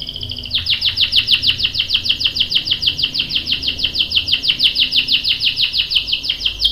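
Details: Canary, a female calling a male and prompting him to answer, delivers a fast, even series of bright chirped notes repeated about six per second for nearly six seconds, a continuous rolling cuit-cuit trill.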